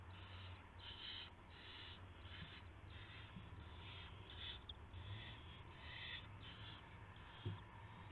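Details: Owl at the nest with prey, a gopher brought in at 1:00 AM on March 24, 2016; harsh, breathy hissing bursts repeat about once a second under a steady low hum.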